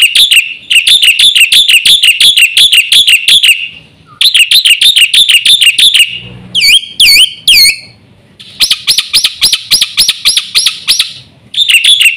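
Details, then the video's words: Black-winged myna singing energetically in full 'isian' style, used as a tutor for all mynas: rapid bouncing note runs, a few sweeping whistled squeals over a low rumble, then a fast series of clear rising notes. "BURUNG JALAK PUTIH GACOR FULL ISIAN JUARA"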